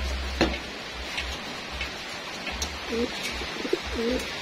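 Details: Homing pigeons being fed in their loft; after faint clicks, a few clear low coos with a rising-falling shape come near the end, over a steady low hum.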